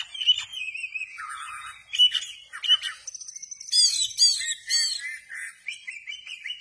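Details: Oriental magpie-robin in full song with its tail spread, loud clear whistles alternating with harsh squawky bursts and high rapid trills, phrases changing every second or so.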